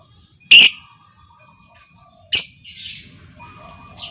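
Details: Female lovebird calling to lure others into long trills; two sharp, piercing squawks about two seconds apart, followed by softer scratchy chatter and a faint steady tone.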